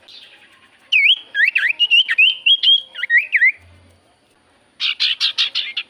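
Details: Lure song of a Javan white-eye, used to make other birds sing: a lively string of whistled up-and-down notes, a short pause, then a burst of buzzy chips.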